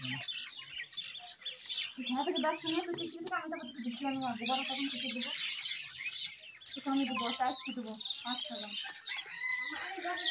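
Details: Pet talking common hill myna, kept as a caged bird, mimicking speech: a run of rapid harmonic, voice-like syllables and chattering phrases with bright whistled notes above, continuous over most of the recording.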